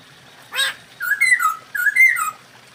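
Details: Mating call of a Masked laughingthrush, given to raise breeding drive: one short rasping note followed by two pairs of harsh, bending squawks in a quiet setting.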